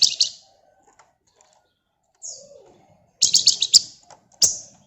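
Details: Scarlet minivet (flamboyan) calling in lively song: a quick double chirp, a softer descending note, then a fast burst of five or six sharp high notes and one final ringing chirp, otherwise quiet.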